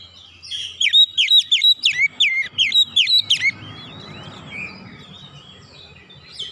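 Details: Oriental magpie-robin (kacer) singing in the nembak style, unloading its stock of learned phrases: a rapid burst of loud, hooked whistled notes repeated about three per second for three seconds, then softer, scratchy warbling trailing off.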